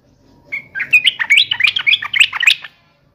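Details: Fighting-mode song of a sooty-headed bulbul: one continuous bubbly, warbling phrase of rapid rising and falling whistled notes lasting about two seconds.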